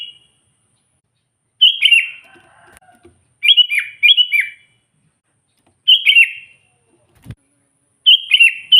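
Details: Lively sooty-headed bulbul calling to lure and rile wild bulbuls. Quick bubbly chirped phrases, some in close pairs, each dropping at the end, spaced by short pauses; a faint low knock and a soft thump in the background.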